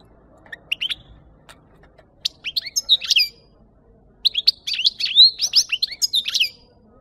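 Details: A European goldfinch, singing on a lure recording for catching birds, gives scattered twittering notes, then a fuller, faster phrase of bright, sliding chirps in the second half of the clip.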